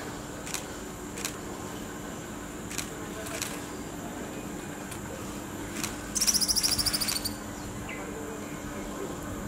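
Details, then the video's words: A perched Violet Cuckoo, in habitat since lost to urbanization, gives one quick burst of about ten sharp, very high notes lasting barely a second, over a low steady hum and scattered faint clicks. "Violet Cuckoo perch and call"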